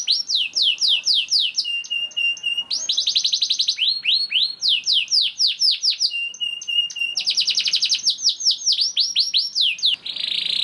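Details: Young canary song serving as a lure for other canaries: alternating sections of steep falling whistles and rapid rolling trills, repeated several times, ending in a brief buzzy roll.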